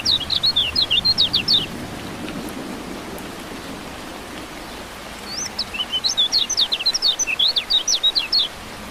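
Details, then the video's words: Caged yellow-vented bulbul bathed in rain to encourage singing: two bursts of rapid, high, sharp chirping notes, the second longer, separated by a pause, all over steady hissing rainfall. "Terapi Hujan Kecial Kuning Buat Burung Yang Macet Jadi Bunyi Gacor Joss"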